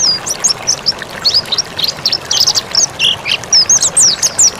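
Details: Vigorous mountain white-eye song used as a training master: dense, high, bright twitters with rapid chirps, short slurred whistles and a few lower notes, delivered almost without pause.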